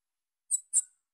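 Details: Young female Bananaquit calling, giving two short, very high, thin chip notes about a quarter second apart against a silent background.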